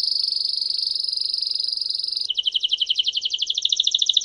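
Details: Belgian canary (campainha type) song: a steady, piercing high whistle held for about two seconds, then a fast rolling trill of rapid notes that wobbles up and down.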